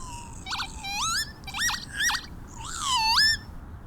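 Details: A male northern lapwing near Liverpool, UK, in spring, sings during its display flight to grab attention: a quick doubled note, then wheezy, slurred, upward-swooping phrases, ending in a longer rising-and-falling wheeze whose rising pitch matches his dive.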